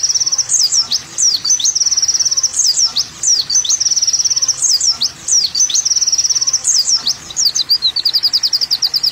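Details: High-pitched varied song of an olive-backed sunbird (kolibri wulung) on a masteran track: bursts of fast twittering trills broken by sharp falling and rising squeaks, in phrases a couple of seconds long.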